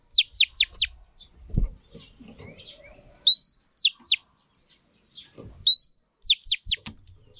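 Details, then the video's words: Female Oriental magpie-robin singing to stimulate males. Each phrase is a rising whistle followed by three or four sharp downward-swooping notes, repeated several times, with faint clicks and a knock between phrases. "Choè than mái kích trống hay nhất"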